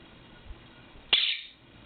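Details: Pet Quaker parrot waking its owner in the morning, refusing to let them sleep past 8am: a single short harsh screech after a soft tap, in a quiet room with a faint hum.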